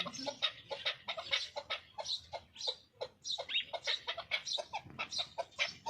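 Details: Tajik fighting chukar partridge from Qubodiyon calling in a steady stream of bright, rasping chuk notes, evenly paced about three per second, close and clear with little background.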